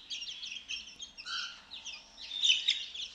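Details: Two-week-old chicks out of the brooder, feeding on mealworms; dense, shrill peeping in quick bursts, with one lower trilled note midway and a louder cluster of cheeps near the end.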